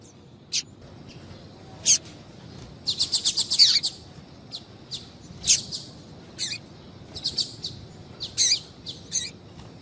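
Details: Female double-collared seedeater calling persistently to stimulate a male: sharp, high, clipped chips, some isolated, others in a rapid burst of about eight near three seconds, then irregular pairs and triplets, over a soft low background hiss.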